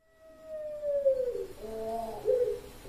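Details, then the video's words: Champion Puter Pelung dove from an online bird-voice contest in Sragen, October 2021: a long, steady mid-pitched coo that slides gently downward, followed by shorter wavering coo notes. "Puter Pelung Juara"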